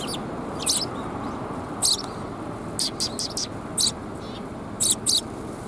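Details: Sparrows gathered on red plum blossoms at a Tenmangu shrine in Japan on 4 March 2021: short, bright, high chirps in separate clusters of one to three notes, with pauses between, over a soft rushing background.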